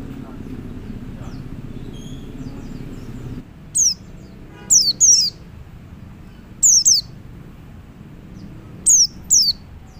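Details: After a few seconds of low noise, a male white-eye calls to other white-eyes with bright, high, downward-slurred chirps in pairs, recurring about every two seconds.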